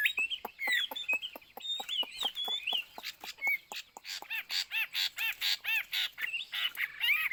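Chinese hwamei singing loudly: rich, varied whistled phrases, then a rapid run of ringing, repeated notes, about four each second, with no other sounds.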